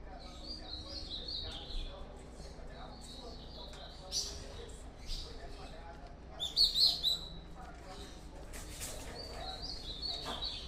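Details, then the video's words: A captive ultramarine grosbeak sings short warbled phrases of sweet, slurred whistles, repeated every couple of seconds, with a louder burst near the middle over soft background noise. "Azulão Esquerdinha Júnior"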